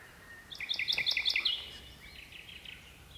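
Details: Common nightingale, one of two birds singing at dusk deep within birch bushes. It gives a loud phrase of rapid paired chirping notes, about eight in quick succession, then fainter high repeated notes against a soft background hiss.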